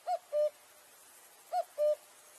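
A striped cuckoo gives two clear, mournful whistled notes, a short arched one and then a longer, even one, repeated after about a second and a half.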